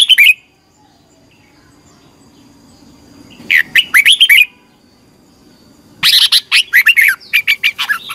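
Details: Red-whiskered bulbul singing in competition, as a training lure for other bulbuls: three separate loud bursts of quick, fluty warbled notes divided by quiet gaps, the last burst longest.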